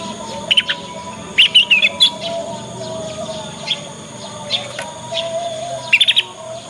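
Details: Young Yorkshire canary learning the ngriwik sound, used as a lure song for other canaries to answer and learn quickly; short bright chirped phrases and brief rattles come in scattered bursts over a steady low hum.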